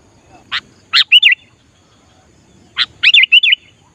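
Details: Sooty-headed bulbul singing to entice wild bulbuls in trapping practice: two matching phrases about two seconds apart, each a sharp note followed by three quick, warbled whistles.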